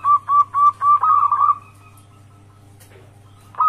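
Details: Wild local zebra dove calling as a lure for other zebra doves: four separate soft cooing notes, then a quick rolling trill, followed by near silence and a low steady hum.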